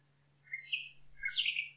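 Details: Nightingale song from a forest: two short bright, chattering warbled phrases in quick succession, with a soft low thump during the second and a steady low hum behind.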